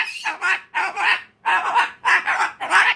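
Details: Raspy, broken squawks from a tantrum-throwing umbrella cockatoo, five harsh bursts coming about twice a second.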